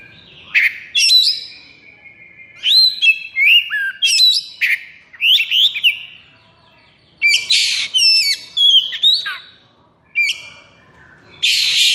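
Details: Oriental magpie-robin (kacer) in 'konslet' breeding and emotional peak as tutor song; long varied sequence of loud whistles, sliding notes and harsh buzzy bursts, in phrases separated by short pauses.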